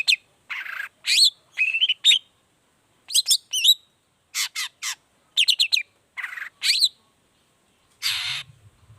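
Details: Lure song of a long-tailed shrike, varied 'toet toet' style, used to get other shrikes singing: clipped high notes, rising and falling warbled whistles and harsh buzzy bursts, ending in a rough noisy squawk.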